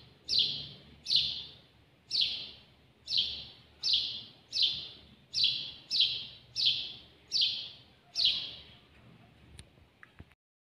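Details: House sparrow, filmed close up while singing: a series of eleven loud, bright chirps, each sliding slightly downward, delivered roughly once per second, then stopping abruptly with a faint click near the end.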